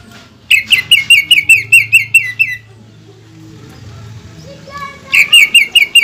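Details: Energetic caged greater green leafbird song used to provoke other leafbirds: a fast string of crisp, ringing notes, a pause with faint murmur and hum, then another rapid burst of the same notes.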